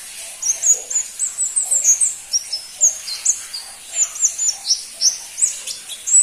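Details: Continuous lively twitter of a crimson-breasted flowerpecker (pentis pelangi): sharp, very high ticks and thin slurs following each other unevenly for several seconds.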